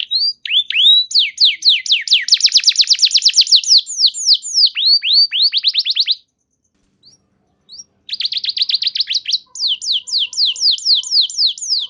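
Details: Canary song used as a lure to spur other canaries into singing: long runs of rapid, high, sweeping whistled trills, the notes falling and rising in fast repeated series, with a brief break before the rolling trills resume.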